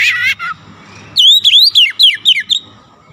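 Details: A short harsh chatter gives way to a series of loud, clear whistles. Each note swoops up and falls away, repeated about four times a second.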